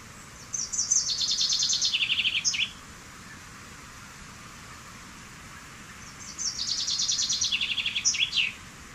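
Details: Common chaffinch (Fringilla coelebs) repeating its song twice, about six seconds apart; each is a cascading trill of high notes sliding downward, capped by a brief sharp ending phrase, over a quiet noisy background.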